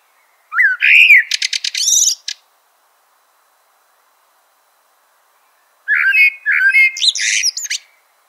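Two unhurried phrases of blackbird song, about five seconds apart: each opens with low, mellow fluted notes and ends in a thin, high squeaky twitter. Quiet background.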